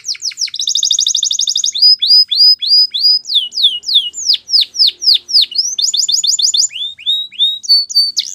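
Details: Training song of a Belgian canary: a fast pulsing trill opening into a sequence of sharp, swooping whistled notes, a second quick trill, then rising and falling whistles to the end. No background noise.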